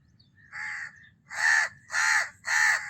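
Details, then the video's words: House crow calling: a quieter harsh caw followed by three loud, hoarse caws spaced about half a second apart, each broad and grating, with a faint low background hum. "House Crow Call"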